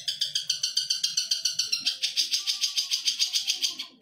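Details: Caged Indonesian long-tailed shrike, a contest bird prized for imitating other birds, gives a fast rattling series of harsh buzzy notes, about six per second, held steady for nearly four seconds. A low background hum is present.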